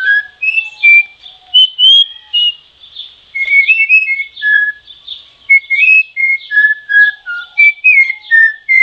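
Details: Troupial (Icterus icterus) song: loud, clear whistled notes that jump between pitches in quick, broken phrases, with faint lower whistles behind them.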